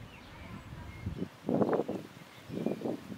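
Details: A yellow-legged gull at Špica, Ljubljana, on 19 May 2023 gives three harsh, low, hoarse calls, the loudest in the middle, over a faint hum of town and wind.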